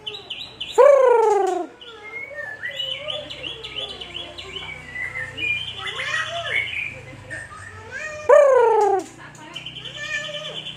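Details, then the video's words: Murai batu, the white-rumped shama of Aceh, gives a rich song: a loud descending note opens it, varied whistles and warbles follow, and a second strong falling note comes near the end. "MB Murai Batu Aceh Super"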